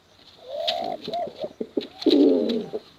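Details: Male and female contest pigeons giving bekuran coos: a smooth drawn-out hoot, a few short bubbling notes, then a loud rough rolling coo near the end.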